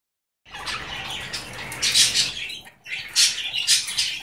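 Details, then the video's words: Pet male Goldie's lorikeet talking, said to say "give me a kiss"; dense, scratchy high-pitched chattering in uneven bursts, with two louder squawky phrases near the end after a brief pause. "Talking Goldie's Lorikeet"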